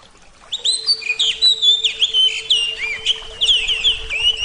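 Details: Oriental magpie-robin of the Javan form (kacer jawa) singing in a therapy recording: rapid varied whistles, slurred rising and falling notes and short chirps in dense bursts after a quiet start, over a steady low electrical hum.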